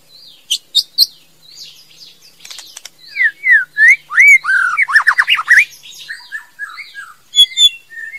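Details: Female White-rumped shama singing a varied medley of soft high wavering whistles, buzzy notes and a dense middle run of rich, looping fluted phrases, ending with softer whistles and chips.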